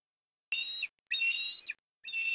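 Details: Osprey calling at its nest at Port Lincoln, Australia, in the afternoon of 18 October 2021, around food deliveries. Three piercing, sustained whistled calls with ringing overtones follow one another after short gaps.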